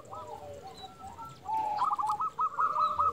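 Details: Local zebra dove, a bird used as a lure to draw other zebra doves into answering, gives a fast, bubbling series of short coos that starts faintly, then grows louder and trills on over steady background hiss.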